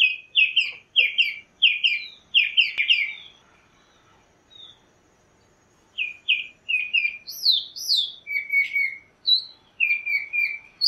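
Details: Chalk-browed mockingbird (Mimus saturninus) singing a varied series of short, bright phrases, each repeated two to four times, with a brief pause mid-song before higher, sweeping and buzzy notes resume; no other sounds noticeable.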